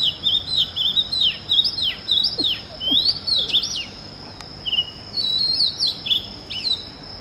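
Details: Oriental magpie-robin singing early in the morning: a lively mix of swooping whistles, quick rising and falling notes and short chips, in bursts with brief pauses, over a steady high insect-like tone.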